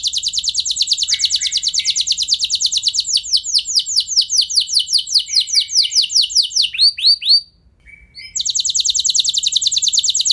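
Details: Canary singing to stimulate other canaries into long rolling song: a fast buzzy trill shifting into slower descending sweeps, a brief pause near the end, then a dense high trill resumes.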